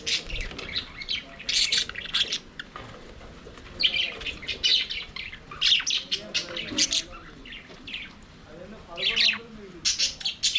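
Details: Budgies singing and playing together in an aviary give clustered runs of sharp chirps and buzzy warbled notes, separated by brief quieter gaps.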